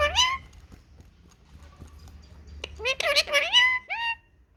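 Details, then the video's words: Pet ringneck parakeet talking happily in the sun: an opening shrill phrase, a quiet pause, then a burst of raspy, rising speech-like syllables ending in a clear upward-sliding call. "Talking parrot"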